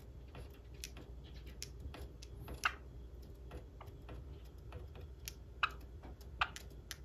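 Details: A Java sparrow's courtship display: dry, irregular clicks and pops with a few louder, ringing bell-like notes over a low indoor hum; the pair falls into rhythm, but the courtship ends in failure.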